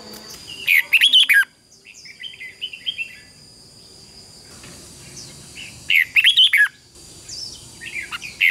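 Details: Red-whiskered bulbul giving competitive fighting song, recorded as lure sounds for training birds: two bright, warbled phrases of quick rising and falling notes, about five seconds apart, with faint softer twitters between and a steady high whine behind.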